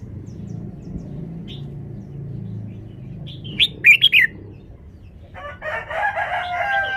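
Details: Red-whiskered bulbul showing off its song phrasing: one short burst of bright, warbled notes in a quick cluster midway, with a harsher, scratchy rustle afterwards over a low background hum.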